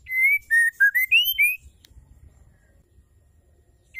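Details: Female white-rumped shama calling to stimulate males to sing: a loud run of clear whistled notes, flat then dipping and rising, lasting about one and a half seconds, then near silence and a fresh whistle starting at the end.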